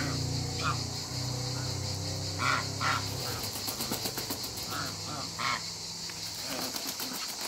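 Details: Backyard African geese among other waterbirds give a few separate loud nasal honks, paired around the middle and single near the end, over low steady background noise and some clicking.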